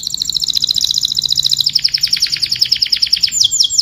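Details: Canary song used to call the flock: a long run of rapid high rolling trills, the pulses coming fast and steady, shifting pitch partway and ending in a few louder descending slurs.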